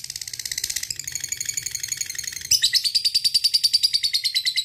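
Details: Fighter lovebird giving a long ngekek trill, a call to a rival: a dense, harsh, rapid chatter of buzzy notes that rises in pace and then settles into a steadier pulsing run of even beats, about seven per second.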